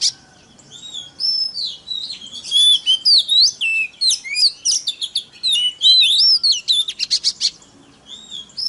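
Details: Kacer, the Oriental magpie-robin, singing to excite rival birds: a rapid stream of clear whistles, swooping slurs and dry buzzy chips, running nearly continuously with brief gaps.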